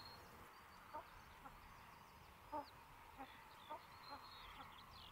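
A common pheasant gives soft, short clucking notes about every half second to second, with faint high chirps of other birds in the background.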